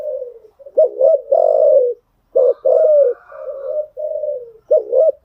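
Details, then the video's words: Soft cooing of a spotted dove, used to tame and train newly caught birds. Short bent notes run into long mellow coos, and a faint higher hum sits over the middle phrases. "tiếng chim gáy dùng tập chim bổi mới hiệu quả"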